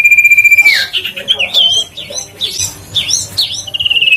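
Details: Loud huyt co bird, played to stimulate reluctant birds to sing: a sustained pure high whistle drops into a jumble of quick warbled and looping notes, ending on another held whistle.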